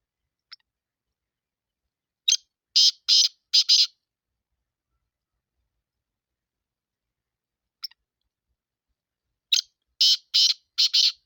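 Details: Black francolin of the Sindhi type giving two harsh calling phrases about seven seconds apart. Each opens with a faint click, then four to five loud, buzzy, rasping notes in rapid rhythm, with silence between.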